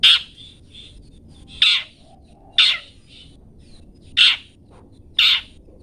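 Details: Long-tailed shrike, a master recording for training cage birds: loud harsh squawking notes repeated roughly once a second, with faint softer twittering between them over a low steady background hum.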